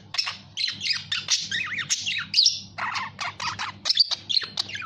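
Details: Budgerigar chattering, harsh squawks and wavering warbled notes tumbling together with short breaks, a faint low hum underneath.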